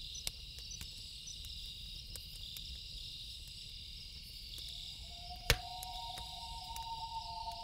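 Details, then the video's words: Nighttime loon wail by a lake: after a stretch of only crickets, a long steady tonal cry rises in and holds, with a second voice just above it. A loud campfire pop breaks in, over a constant cricket chorus. "1 Hour Loon Calls With Campfire Sound"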